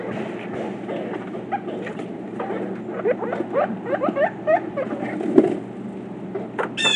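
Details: One of four Pileated woodpeckers (Dryocopus pileatus) gives a quick series of short, hollow, rising notes, a few per second, over a steady rumbling background hiss.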